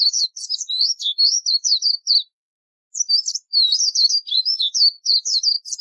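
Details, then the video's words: Daurian redstart singing a high, scratchy, rapid warble of jumbled twittering notes. Two long phrases are broken by a pause of about a second. "Daurian Redstart bird is beautiful with nature sound"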